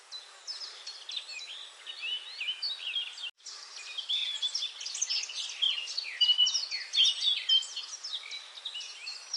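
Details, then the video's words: A busy chorus of many small birds, with quick, high, overlapping chirps and twitters running almost without pause, plus a brief break partway through. "birds chirping sounds"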